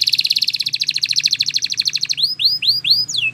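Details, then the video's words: Spanish Timbrado canary training song: a steady rapid metallic roll of evenly repeated notes for two seconds, then a few arched whistles and a final falling note. "Canary Singing Bird Sounds"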